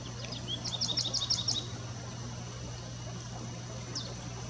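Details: American Goldfinch singing: a quick run of thin, high twittering notes lasting about a second, then one more isolated note later, over a steady low hum and constant background noise.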